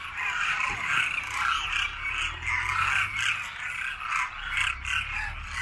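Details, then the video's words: Masses of wild Demoiselle cranes circling overhead after feeding at a winter grain-feeding site in Khichan village, Rajasthan, India, before their return journey across the Himalaya: a dense, continuous cacophony of overlapping rolling, trumpeting calls with no pause. "Cacophony of Cranes"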